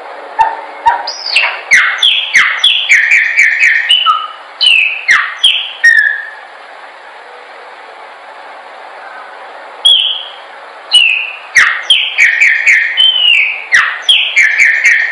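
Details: Chopi blackbird singing for use in training birds: bursts of fast, ringing down-slurred whistles and clicks, a long pause with only hiss, then another lively burst.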